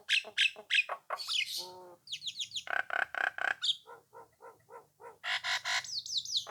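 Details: Persistent song of a Nias hill myna meant to make rivals answer and sing; a varied jumble of loud whistles, falling slurred notes, a nasal buzzy stretch and rapid clicking phrases, with faint low hum beneath.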